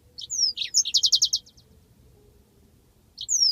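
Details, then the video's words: Yellow-fronted canary giving a rolling song meant as a training master track: a sharp whistled slur, then a fast run of about eight bright, even trill notes, and another whistled slur after a pause. "masteran handal burung Mozambik ngeroll panjang"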